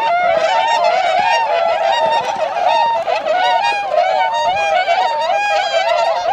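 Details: Wintering tundra swans in Azumino, Nagano Prefecture, Japan, on a February 2013 day, flying from a retention pond to rice fields to feed. A continuous wall of ringing, wavering honks from many birds fills the recording.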